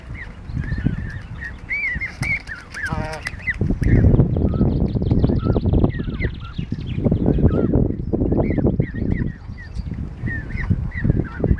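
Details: In a York car park, a group of geese with young crossing on foot honk in quick irregular bursts, with louder low-pitched noise and clattering sounds underneath.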